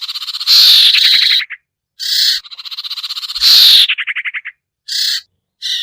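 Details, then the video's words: Sirtu call played as a lure to bring hard-to-attract birds down: loud harsh buzzy bursts alternating with quick rattling trills of short pulses, repeated in chattering groups with brief gaps. "suara pikat burung sertu sirtu cipoh yang susah turun"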